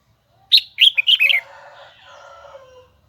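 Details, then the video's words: Red-whiskered bulbul of the Huế type singing in a high, double-twisted voice: a quick burst of four or five bright, slurred whistled notes, followed by a fainter, lower drawn-out tonal sound fading away. "CHÀO - MÀO - HUẾ Bung giọng nghe cực đã || Giọng cao kép xoắn nghe mãi không chán"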